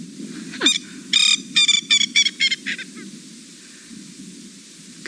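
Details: A male Coqui Francolin on an afternoon safari drive, 27 September 2017, calls territorially: a burst of about eight harsh, nasal notes over two seconds, tapering off, over wind and engine rumble; others respond faintly in the distance.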